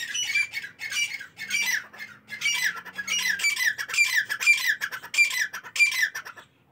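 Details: Morning calls of partridges, loud rasping squawks in quick succession, grouped in short bursts, with a low steady hum in the background.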